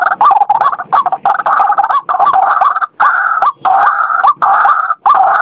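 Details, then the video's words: White-breasted waterhen in a dense, nearly continuous stretch of overlapping nasal croaks and gurgling phrases, with brief gaps, loud and busy. "suara burung ruak ruak pikat ampoh"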